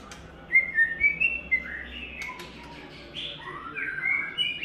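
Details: White-rumped shama in its third molt, singing a song style called "Imagine": clear whistled phrases around high pitch, some level, some sliding down, with short gaps and a low steady hum beneath.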